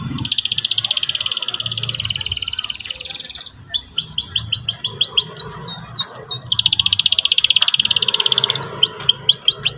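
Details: Canary singing a rolling morning song, ngeriwik-ngerol style. A long buzzy high trill gives way to quick down-swept chattering notes, then another sustained buzzing roll and more chatter.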